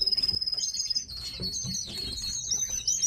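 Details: High whistled notes and fast, rippling chirps from captive tits kept as pets, the trills rising and falling quickly, with light knocking in the background.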